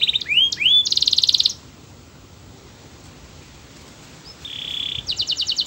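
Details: Canary song meant to coax others into singing: a short burst of curving slurs and a buzzy trill, a quiet gap of several seconds, then a flat whistle and another brief trill.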